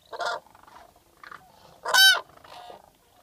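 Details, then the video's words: Common cranes filmed from a photo hide in southern Sweden in April 2014: loud trumpeting calls, one strong rolling blast among softer scattered calls. "Midden tussen de kraanvogels"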